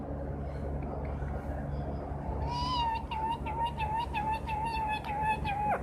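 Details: A pet green parrot gives one drawn-out, mid-pitched whistle that wavers slightly for about three seconds over a steady low hum.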